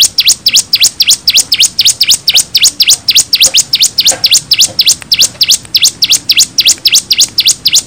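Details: Bar-winged prinia (ciblek) in lively 'gacor' song, a long lure recording with five-second pauses meant to make other ciblek answer: sharp, high, V-shaped chirps repeated steadily about four times a second, with no other sounds.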